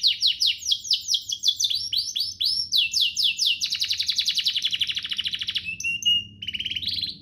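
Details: Canary song used to teach young canaries and spark singing: repeated downward-sliding whistles in quick succession, a long dense buzzy roll, then short level whistled tones and a closing upward sweep.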